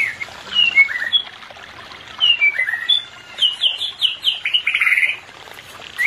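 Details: White-rumped shama song meant to bring a pair into breeding condition: bright, high whistled notes, some sharply down-slurred, building into a fast run of repeated chirpy notes before a brief pause.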